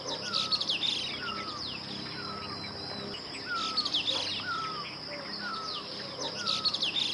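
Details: Streaked laughingthrush from Uttarakhand in the Himalayas, a scrub and forest bird: repeated clear whistled notes sliding downward, about one every second, with sharp high chirps and a steady high insect hiss behind.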